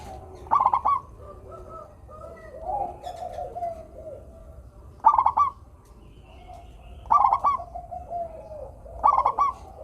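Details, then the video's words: Local zebra dove with a melodious, frequent song: four quick, stuttering coo phrases of several short notes, spaced about two seconds apart, with quieter murmuring coos of other doves filling the gaps. "perkutut lokal gacor suara merdu - bikin bunyi perkutut yang malas manggung"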